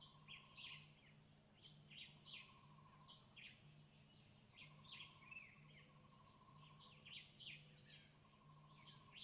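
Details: In Cuba, a bee hummingbird feeding its chicks, with busy bursts of thin, high chirps that drop in pitch, repeated several times a second with brief gaps, against a constant low hum and a soft mid-pitched drone.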